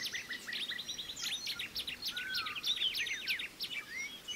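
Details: Pied fantail chicks calling while the female feeds them: rapid, overlapping, high-pitched chirps and short down-swept notes, several birds at once, with a soft upslurred whistle mid-way.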